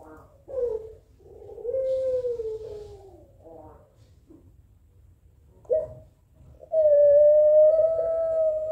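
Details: Pelung-type Barbary dove answering a rival: brief broken cooing notes, then a gently falling drawn coo, and finally a loud, steady, sustained tone held for about two seconds, with a low background hum.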